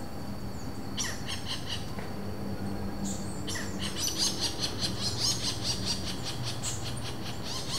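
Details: Interaction calls of a wild Robust Woodpecker pair recorded without playback on a Zoom H4n at Vargem Grande Paulista, São Paulo, Brazil, April 2023: several clusters of rapid, harsh, repeated notes, roughly two per second, with a few higher squeaks.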